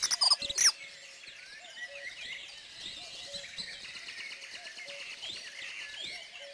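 A Dunnock gives a fast, thin, jingling warble, high and scratchy, running almost without pause. Sharp knocks open the recording, and faint low whistles recur behind it.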